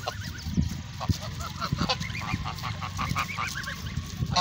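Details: A noisy flock of farm geese honking loudly, short rasping calls repeated irregularly by several birds at once, with knocks and low rumble in the background.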